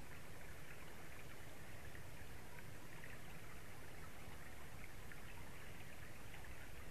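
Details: Even hiss of running water or rain continues throughout at low level, with no animal calls.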